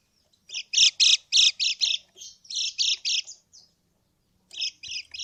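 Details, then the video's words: Buzzy rasping chip series from a yellow white-eye, a lure to make birds answer; a fast burst of loud notes, a softer run, silence, then three more chips. "kecial kuning krekek pikat kecial kuning macet total atau malas bunyi 99%√ nyaut lawan"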